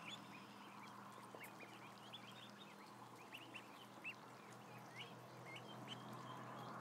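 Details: A large crowd of roughly a thousand ducklings resting, giving a continuous scatter of thin, rising peeps and brief chirps from many birds at once, set against a constant low hum and background hiss.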